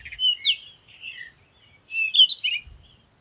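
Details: Morning sunrise birdsong: a bird gives rapid, high sweet chirps and warbled notes in two close bursts, lively and musical, with nothing else prominent.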